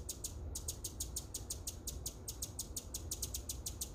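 Hummingbird giving a fast, steady run of very high, sharp chirps, about six each second, over a low background rumble.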